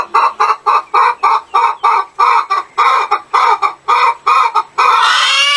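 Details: Chicken clucking loudly: a rhythmic string of strong, evenly paced clucks, about two per second, ending in a drawn-out harsh squawk.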